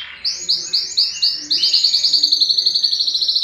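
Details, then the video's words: Yellow canary delivering rapid, evenly spaced high chirps that speed into a tight rolling trill, bright and metallic. "yellow canary singing"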